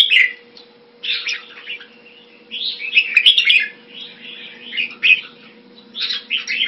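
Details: Kept red-whiskered bulbul (jambul) from the bird hobby singing short warbled, chattering phrases in bursts separated by brief pauses, with a steady low electrical hum underneath.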